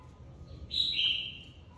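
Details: Red-whiskered bulbul, a flock leader recently taken from its aviary, in competitive singing: one short, bright whistled phrase that slides slightly downward, over a low background hum.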